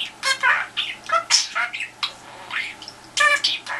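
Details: Pet budgie trying to coax a telephone into answering: quick squawks and buzzy warbled notes in short groups, a pause, then a louder harsh burst at the end.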